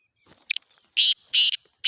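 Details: Kala teetar, the black francolin, from Khushab gives short grating notes. A small clipped sound comes first, then three broad buzzy bursts repeated at roughly half-second intervals, with a quiet background.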